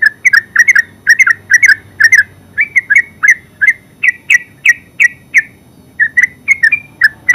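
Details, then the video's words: Continuous ngeropel song from a yellow-vented bulbul, locally terucuk: dense clusters of gurgling, slurred chirps repeated with barely a pause, some notes flicking upward at the end. "Terucuk full suara ngeropel"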